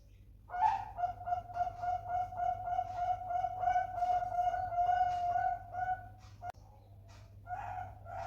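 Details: Young Bangkok-type zebra dove, kept as a prospect for song contests, gives a long pulsed cooing phrase. A steady mid-pitched tone is broken into rapid beats, then fades into softer short coos near the end.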